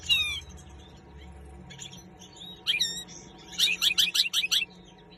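Common linnet singing a rapid twittering song: bright, high chirps and trills that end in a quick run of about six clipped notes.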